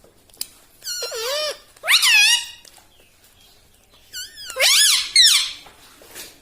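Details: Pet green parrot talking: four bursts of squeaky, high-pitched, speech-like phrases with wavering, rising and falling pitch, separated by short pauses over faint room noise.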